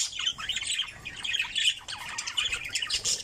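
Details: A five-month-old pseudo-violet opaline budgerigar chatters in a rapid, scratchy warble of high chirps and squeaky notes, running almost without pause; nothing else is heard.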